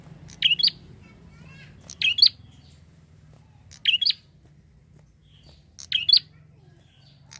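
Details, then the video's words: Prinia calling as bait to attract other birds, sharp high chirped bursts of two or three notes repeated roughly every two seconds, with a steady low background hum throughout. "pancingan prenjak gacor untuk burung ombyokan"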